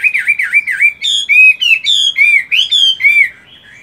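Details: Caged Chinese hwamei fighting bird, moulting but still given morning voice practice: loud, rich whistled phrases, slurred downward notes, then bright rising-falling whistles repeated roughly three per second, ending abruptly.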